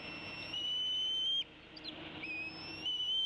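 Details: Female bald eagle at the Decorah nest on 29 April 2016, mid-afternoon, tea kettling as the male flies in, possibly with prey: two high, thin whistled notes, each climbing slowly, split by a short gap, over soft background hiss.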